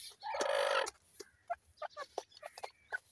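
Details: Partridge chicks at play: a brief harsh rasping burst opens, then a quick series of short, clear peeping chirps, about three to four each second.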